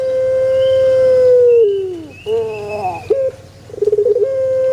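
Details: Male Barbary dove: a long sustained coo sliding down at its end, followed by a lower wavering note and a fluttering, stuttered phrase that rises back into another held tone.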